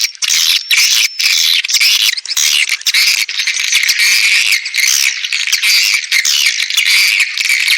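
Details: Swiftlet attraction call: a constant loud wash of high, fast twitters and rattling chirps from many birds, with brief gaps.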